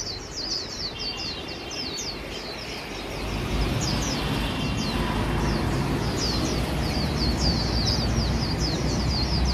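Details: White-eyes singing in a contest: a continuous chatter of quick, high, downward-swept twitters, about four notes a second, with a faint whistled tone early on and a low background roar growing louder midway.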